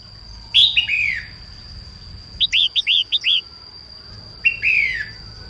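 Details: Female red-whiskered bulbul in morning song, aimed at rousing newly caught birds: a falling warbled phrase, a rapid run of six short bright notes, then another slurred descent, with a steady high-pitched tone throughout.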